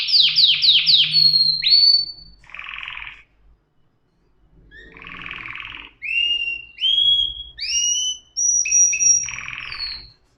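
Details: Canary song: rapid falling whistled notes repeated in quick bursts, a drawn-out high whistle, short buzzy rattles, then rising slurred whistles and a sustained high trill.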